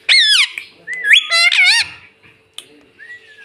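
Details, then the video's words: Pet ringneck parrot said to say "mummy" and "mitthu" gives strong harmonic cries that swoop down and rise again, several in close succession, then a short pause and a faint rising note. "Talking parrot || mummy mummy mitthu mitthu bolta tota"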